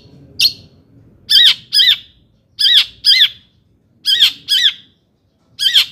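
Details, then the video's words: Long-tailed shrike producing rasping, scolding double notes, paired calls repeated roughly every second with brief pauses between pairs, from a recording used to provoke other shrikes. "kicau CENDET GACOR paling DI CARI cocok UNTUK PANCINGAN CENDET AGAR NAIK EMOSI"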